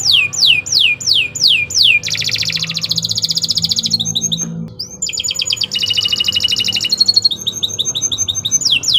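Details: Local Indonesian canary in long, vigorous song meant for training other birds: a run of steep descending whistles, then dense buzzy trills, brief chips, and more rapid rattling phrases ending in falling sweeps; faint low hum beneath.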